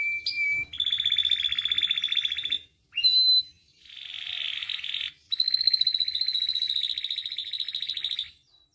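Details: Canary song for training and provoking other canaries: long rattling trills lasting up to two seconds, split by brief pauses and a short whistled note, steady and high.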